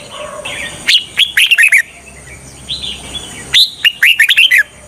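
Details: Red-whiskered bulbul used as a trapping decoy gives loud, sweet whistled phrases of rapid bouncing notes, twice over, with a gentle quieter warble in the gap.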